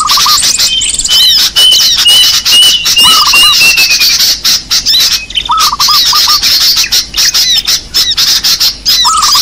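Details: Lure sound for small birds: a dense chorus of high, squeaky chirps and twitters from many small birds, with lower, quick stuttering notes repeating every few seconds.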